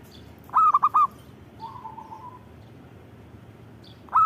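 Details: Zebra dove sings a rapid four-note cooing phrase, followed by a soft, lower trailing coo, and then begins another phrase at the end.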